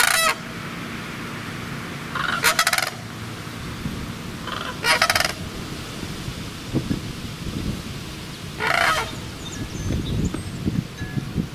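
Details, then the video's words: Sandhill cranes giving several rough, trilling bugles, roughly one every two to three seconds, against low rumbling and scattered knocks. "Sandhill Cranes Calling"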